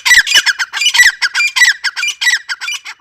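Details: Grey francolin giving an unbroken stream of loud, harsh, hoarse squawking notes, each short and repeated rapidly with uneven spacing.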